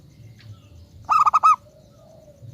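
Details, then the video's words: Local zebra dove kept as a lure bird for catching other doves, giving one short phrase of five rapid, rolling cooing notes, the last slightly drawn out, against a faint low rumble. "Perkutut lokal gacor RAJA PIKAT ahlinya bikin semua burung perkutut GACOR NYAUT"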